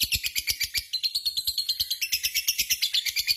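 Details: A lovebird keeps up a long ngekek, a continuous rattling chatter of scratchy, high notes pulsing at a quick, fairly steady rate throughout.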